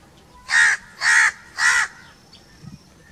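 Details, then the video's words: Natural crow sounds: a crow gives three rough, grating caws in quick even succession, then falls silent apart from faint low background noise. "1 hour crow crowing sounds - one hour crow nonstop crowing voice - natural crow bird sounds"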